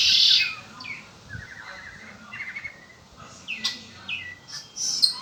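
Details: Song of a kept Red-winged blackbird: a loud buzzy trill opens, followed by short rising whistles and a rattling series of chirps, with a few thin high notes near the end.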